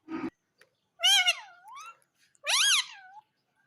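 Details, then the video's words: Pet Indian ringneck parakeet indoors in a small room, taught to say mummy and papa: two loud, nasal, speech-like utterances with bending, wavering pitch about a second apart, each trailing off into a softer gliding tail, after a brief low sound. "मम्मी पापा बोलने वाला मिट्ठू || Ringneck talking parrot mitthu"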